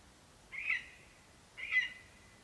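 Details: A male lesser spotted eagle calling for his mate at the nest with a vole, 11 September 2021: two loud, high, ringing yelps about a second apart, each trailing off slowly, on a clean quiet background.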